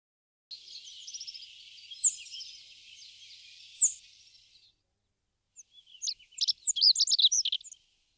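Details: Rock bunting recorded in March 2019 at Crémenes, León, Spain, near a feeder: a long thin buzzy high trill with two sharper notes, a brief pause, then a quick burst of bright, high, jumbled twittering notes.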